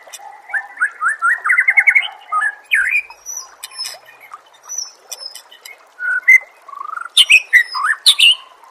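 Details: Training recording for songbirds of a white-rumped shama, which opens with a fast, rising series of repeated whistled notes, then scattered clicks, and ends with loud swooping whistles and high sharp notes.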